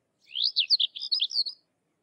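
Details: Sykes's lark, a crested rufous lark of India's dry open country, giving a fast, continuous phrase of high, slurred chirps and warbles lasting over a second.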